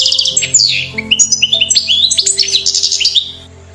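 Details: Female European goldfinch building a nest, giving quick high twittering notes and short bright chirps in an uneven burst that ends abruptly, over a low steady hum.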